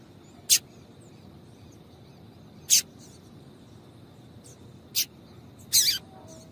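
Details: Female double-collared seedeater calling to excite a male: four sharp, high, clipped chips spaced about two seconds apart, the last one doubled and slightly longer, over a faint steady high whine.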